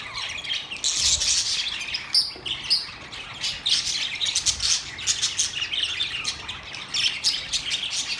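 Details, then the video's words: Budgies singing, a dense continuous warble of scratchy chirps and squeaky twitters, with a few sharp whistled notes near the two-second mark. "Budgies bird talking video | birds chirping sound | Singing Budgies sound"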